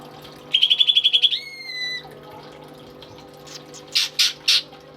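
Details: Caged greater green leafbird, tame and in strong song, used as a tutor bird: a rapid trill of about ten notes runs into a long clear whistle, followed by three short harsh hissing bursts.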